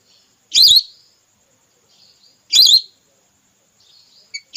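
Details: Female whistling duck, the red or plain type locally called belibis merah, used as a hunting lure: two loud, sharp whistled notes with a wavering high pitch about two seconds apart, faint soft whistles between them, quiet background.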